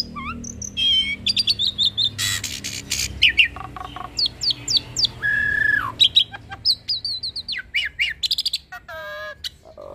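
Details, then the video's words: Busy hybrid starling song rich in mimicry, meant to teach pied starlings and other songbirds: rapid rising whistles, a steady mid-pitched whistle, harsh crackles, and repeated chirped notes. "Jalak Silangan gacor Full Isian Pas Untuk Masteran Jalak Suren dan Burung Kicau lainnya"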